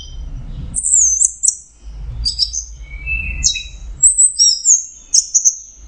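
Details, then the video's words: Orange-headed thrush, locally anis merah, singing teler: varied high whistled phrases and slurs separated by short pauses, some quick doubled notes, with low rumbling noise between phrases. "Suara Burung Anis Merah Teler"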